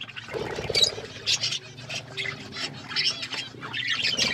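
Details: Feeding budgies give a steady stream of sharp, high chirps and short squawky bursts in uneven clusters, with a low steady hum beneath.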